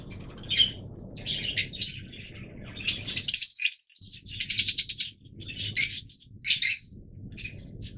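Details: Several yellow Fischer's lovebirds chatter in a busy run of shrill, scratchy chirps and squeaks, some rapid and stuttering, with a brief gap midway and low background hum.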